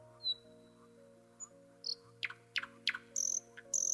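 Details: Common nightingale in Ukraine opens with a pure high whistle, then harsh clicking rattles and two buzzy, very high trills, all over a soft steady music drone.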